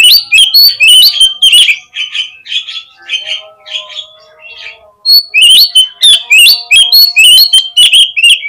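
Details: Oriental magpie-robin lure song to make birds answer quickly and spread their tails: continuous loud, fast, varied whistles and rasping chirps, easing into softer notes mid-way before bursting back to full intensity.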